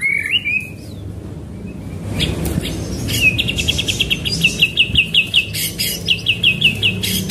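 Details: White-rumped shama song used as training material, in a rolling 'tembakan' style: a short high warble, then after a noisy pause a long fast train of clipped high notes against steady background hiss.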